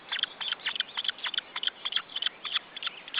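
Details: Osprey nestlings being fed in Estonia, June 2012, calling with a fast run of brief, sharp piping notes, about three to four each second, loud and repetitive.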